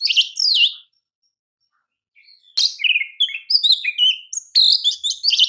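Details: Champion kacer, or Oriental magpie-robin, master song for training: a looping whistled phrase, a long pause, then a lively stream of varied slurred whistles, downward sweeps and scratchy chatters.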